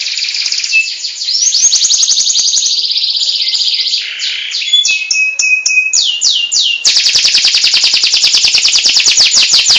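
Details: Singing local canary, a kept songbird: a continuous loud high warble of rapid trills, sliding whistles and chattering phrases, ending in a fast dense buzzing roll.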